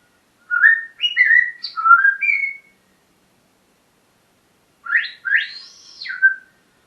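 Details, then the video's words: Parrot in a morning session: a warbling run of quick stepped whistles, a pause of about two seconds, then a second phrase of rising and falling whistled notes. "My parrots morning talking session"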